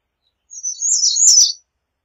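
An American redstart gives a single high, thin phrase of about a second: quick sibilant notes ending in a sharp, slurred flourish. No other sounds.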